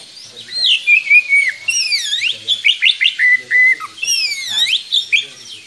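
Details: Long-singing Oriental magpie-robin used to tutor young birds: a varied run of sweet whistled phrases, swooping notes and quick repeated slurs, loud and continuous with brief gaps.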